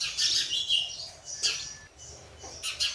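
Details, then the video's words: Sparrow chicks begging as a parent feeds them: bursts of thin, high chirps and squeaks that rise and fall in quick clusters, with short pauses between flurries. "Sparrow bird feeding food to baby birds"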